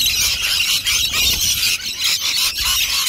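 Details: Rainbow lorikeets in a large flock at lunchtime nectar dishes give a steady wall of piercing, high-pitched screeches, many birds calling over one another, with brief dips in volume.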